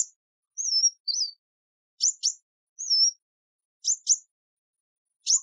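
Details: High, thin calls of a kingfisher: a wavering whistle followed by a brief warble, then double sharp chirps, repeated about twice in quick succession in otherwise silent surroundings.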